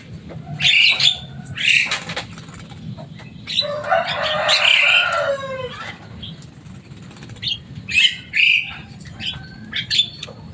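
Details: Loud, noisy Javan myna in a cage, a bird said to mimic human words, uttering short shrill squawks, then a dense burst of rasping chatter with descending whistles, followed by scattered sharp notes.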